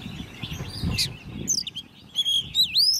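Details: Hand-reared caged Oriental magpie-robin, ten months old, in competition song: a few thin high notes, then clear whistles with a dipping, upswept final phrase, over a low background murmur.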